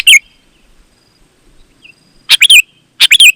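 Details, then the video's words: Kutilang or sooty-headed bulbul calling to attract others of its kind: a lone chirp, a long silence, then two quick groups of rich, falling, gurgled notes. "Suara Burung KUTILANG GACOR, Ampuh Untuk Suara Panggilan Burung Kutilang AUTO Ikut Gacor"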